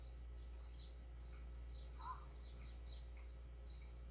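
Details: White-throated seedeater (golinha) giving an azulão-style song meant to fire up other birds: thin, high slurred notes run together into a quiet warble, with one brief lower buzzy note in the middle and light background hiss.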